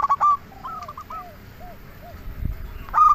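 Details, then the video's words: Zebra dove, a local bird, singing to lure and excite other doves. Faint, soft, down-curving coos drift through the middle, framed by loud, clipped ringing notes at the start and close. "Perkutut Lokal Gacor RAJA PIKAT Ahlinya Bikin Semua Burung Perkutut Langsung Nyaut"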